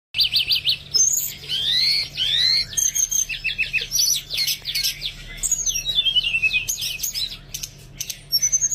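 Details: Oriental magpie-robin song used as therapy to coax reluctant birds into singing: a rich, fast run of high whistles, slurred rising notes, trills and sharp chips, varied and almost continuous, over a faint low hum.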